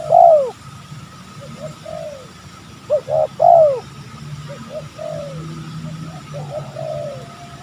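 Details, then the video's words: A spotted dove calls during lure trapping in an oil palm plantation, where the wild birds react aggressively. Loud clipped coos come in a burst, then softer, more distant answering coos follow against a low humming background. "Mikat TEKUKUR,garang sekali burung hutan ini"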